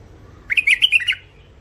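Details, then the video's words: Mule finch, a hybrid with a thick-throated voice, delivers one brief burst of about six clear, twittering chirps, fast and slightly rising and falling, over faint background hum. "مخلف وحشي علوازي أول عزله حنجره ثخينه"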